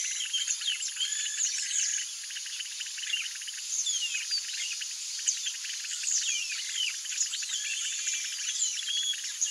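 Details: Yellow-rumped marshbirds (Pseudoleistes guirahuro) feeding on Brachiaria seeds keep up a dense, overlapping chatter of sharp, high chirps and squeaky slurred notes over a steady insect-like buzz.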